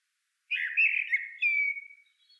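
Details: Middle spotted woodpecker (Dendrocopos medius) gives one harsh, nasal, squeaky call lasting about a second and a half, ending in a thin falling squeal; quiet background.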